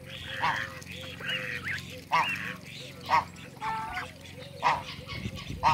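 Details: Call duck in a backyard meeting Cayuga ducks: loud, harsh, raspy quacks, spaced about a second apart with brief chatter between, over a steady low hum.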